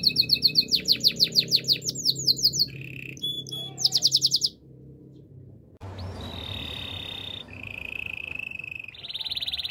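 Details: Loud, high Belgian canary training song of fast repeated trills, then long steady rolling tours on one pitch, with a faint low hum underneath.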